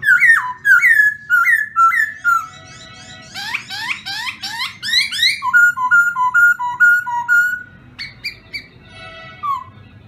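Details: Black-throated laughingthrush whistling clear, flute-like notes repeated in even series, with a fast burst of sharp chirps in the middle and a falling whistle at the end.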